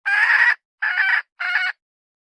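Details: Hen calling: three loud, harsh, broad-toned calls, each about half a second or shorter, separated by brief silences, with no other sounds.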